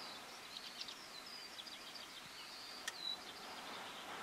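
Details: A greater short-toed lark (nominate brachydactyla) in the Crau, France, in May 2018 sings a steady run of dry, high chirps and short twittering phrases, with one sharp click and a brief clear whistle over soft hiss.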